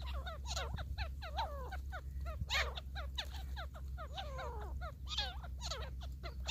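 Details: A wild grey francolin (grey partridge) in a hunting setting gives a dense run of short, squealing, arched whistles, several a second and overlapping, over a steady low rumble.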